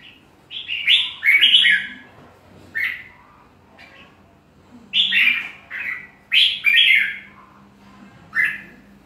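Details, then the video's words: Red-whiskered bulbul song in short clusters of bright, slurred whistled notes, several loud phrases separated by quiet gaps of a second or two; low background hum throughout. "Chào Mào hót hay"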